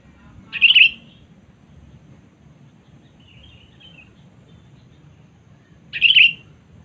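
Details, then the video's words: Sooty-headed bulbul 'cengkram' call used as a lure for rivals: a sharp, harsh chirped burst, a long gap with faint distant twittering, then a second matching burst near the end. "Pikat Kutilang Cengkram Memanggil Musuh Terkuat Sepanjang Masa"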